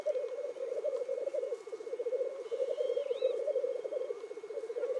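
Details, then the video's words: Continuous low, rolling bubbling from black grouse at a morning lek in the Cairngorms National Park, where the birds display, call and fight; a faint thin whistle rises briefly in the middle. "Black Grouse Lekking"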